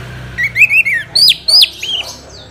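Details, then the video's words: Orange-headed thrush singing as a lure to make other birds sing: loud clear whistles that slur up and down, several rising sharply, given in a quick string of about seven phrases. "Pancingan ANIS MERAH agar cepat Berkicau Gacor"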